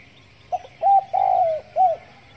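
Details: Spotted dove calling in the morning: one cooing phrase of a soft short lead-in, a clipped coo, a long drawn coo sliding downward, then a short arched final coo, over steady background hiss.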